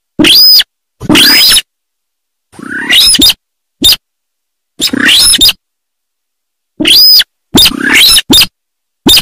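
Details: Sintar sawah calling repeatedly with loud, rasping, broadband notes and a bright ringing overtone, in uneven groups of long and short bursts separated by sudden silences.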